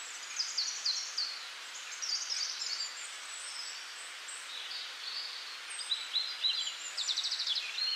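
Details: Springtime birdsong from several birds at once: rapid high twittering and thin sliding whistles in dense bursts, ending with a fast buzzy trill-like series of repeated notes, against a constant faint background hiss.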